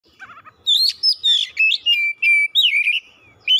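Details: Oriental magpie-robin (kacer) in vigorous full song, a lure recording for prompting other birds and showing its learned repertoire; soft warbling at first, then loud rising-and-falling whistled phrases and harsh notes in rapid bursts.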